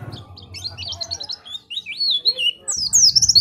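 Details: Oriental white-eye singing vigorously (gacor), offered as a tutor recording or lure for other birds. Soft low rumble, then quick high twittering phrases and thin sliding whistles, growing louder and shriller toward the end.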